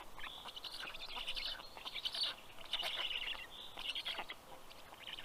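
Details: Black stork chicks at a nest camera in Karula National Park, southern Estonia, greeting the adult male arriving with fish, 11:00 am, 11 June 2023; harsh, rasping bursts in quick, uneven series, overlapping.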